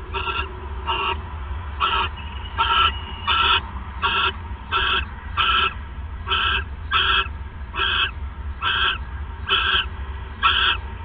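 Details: Owl calling on the night of 28 December 2014 after the male arrives with a third mouse: rapid, rasping screechy notes, some doubled, about fourteen in eleven seconds over a low steady hum.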